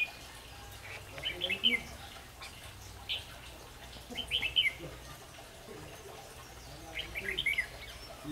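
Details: Decoy red-whiskered bulbul singing to draw rivals into a fight trap. It gives short, clear, chirpy warbled phrases about every three seconds, four bursts in all, against low ambient noise.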